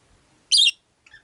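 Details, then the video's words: Caged Rosy-faced lovebird, five birds sharing a windowside cage, lets out one loud, rasping high chirp, followed a moment later by a softer, brief twittering note. "Lovebird Chirping Sounds"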